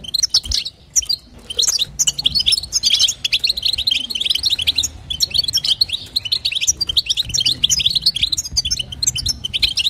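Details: European goldfinch female calling to stir a male into singing, giving dense, tinkling twitters and quick high notes that run continuously, with a brief lull near the start and a soft low hum in the background.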